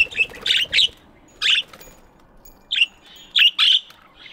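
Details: Budgies chirping in an aviary in the morning, a quick series of short, bright, slightly buzzy chirps, some in quick pairs, separated by short pauses.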